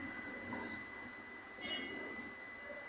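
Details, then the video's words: A European goldfinch on a balcony, warming up and getting livelier, repeats a bright, tinkling twitter of five short high notes about two per second over a faint steady hum. "jilguero pipinas cantando"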